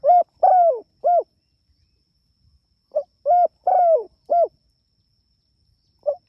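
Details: A frequently calling Spotted dove calls to its companions in two phrases of low coos, short, long falling, short, separated by a pause, with a faint single coo at the end.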